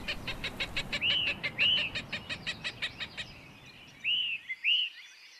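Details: Small birds in East Tennessee in early 2020 give alarm calls during hawk courtship activity: rapid, sharp high chips, about two per second, broken by clear slurred whistles rising and falling, with a faint background hiss throughout.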